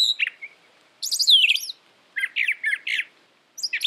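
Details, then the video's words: Varied brown thrasher song: a high slurred phrase, then a series of quick, paired chirping notes, and another burst starting at the end. "Brown Thrasher Bird Sound, Bird Song, Bird Call"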